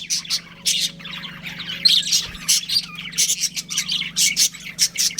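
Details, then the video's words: Budgerigars in a breeding pair give short, sharp squawky chirps in quick bursts separated by brief gaps, over a low constant hum. "Adorable Budgies Chirping Sounds"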